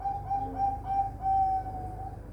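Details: Zebra dove bred in captivity on a bird farm in Semarang, Indonesia, giving a series of mellow, steady-pitched cooing notes run closely together over about two seconds, over a constant low hum.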